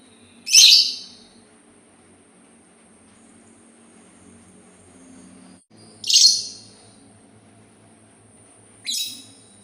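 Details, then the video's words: Sultan tit giving sharp, harsh high bursts separated by long pauses of several seconds, the last one softer, against a faint steady background hum. "suara burung labet Sultan"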